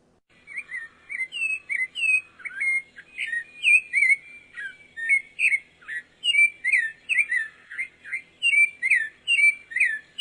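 Pale-breasted thrush singing a steady run of clear, warbled whistled phrases, about two or three each second, mixed with higher thin notes; no other sounds.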